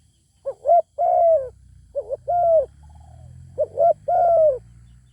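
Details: Zebra dove singing while a wild bird with a fine voice is nearby, the wild bird not coming down to fight; three phrases, each two short clipped coos then a long, slightly falling mellow coo, about every 1.5 seconds, over a faint low hum.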